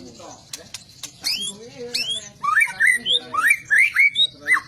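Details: White-rumped shama singing a rich, fast song of varied rising and falling whistled notes, about a dozen tight phrases in the second half, preceded by clicks and softer warbles.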